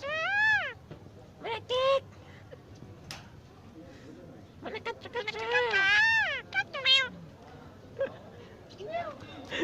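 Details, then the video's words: Crested myna talking like a human: rich, harmonic, speech-like phrases that bend up and down in pitch. They come in bursts separated by short pauses, over a faint background hum. "ঝুঁটি শালিক পাখি কথা বলছে, মানুষের মতো করে। The crested bird is talking like a human"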